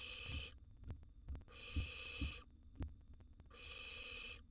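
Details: Barn owl nestling in a wild nest box, mid-meal on a huge gerbil: three harsh breathy hisses in quick succession, interspersed with soft thuds and scraping.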